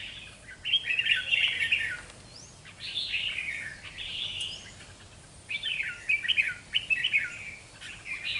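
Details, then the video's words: Red-whiskered bulbul, wild-caught and kept caged for two months, in fanning display, sings in clustered bursts of rich, warbling notes, loud at first, then softer phrases, then a run of quick, repeated chirpy notes. "Chào mào bổi 2 tháng đấu xoè"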